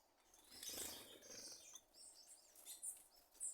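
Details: Thrush (sabiá) producing a popcorn-popping noise: a rush of high crackling and chipping in the first second, then sparse sharp ticks and a final high click.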